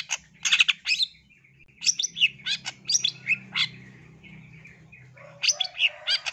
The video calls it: suara cendet